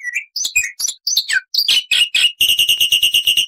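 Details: Black-winged starling in full, vigorous song, loud and clear, with long and short bursts and varied chattering. Harsh squawky and whistled notes jump in pitch, then a rapid run of about twelve identical buzzy notes closes the phrase.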